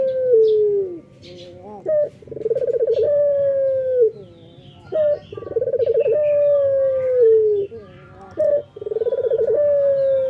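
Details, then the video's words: Morning song of a male local puter dove singing vigorously. Low, mellow cooing phrases roughly every three seconds, each a short pulsed roll and then a long, level coo sliding gently downward, with a brief hiccup note between phrases. "SUARA BURUNG PUTER LOKAL JANTAN GACOR PAGI HARI MENYAMBUT REZEKI"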